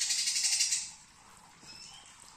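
A young greater green leafbird gives a rapid, scratchy burst of high chattering notes for about a second, then a few faint, thin whistles.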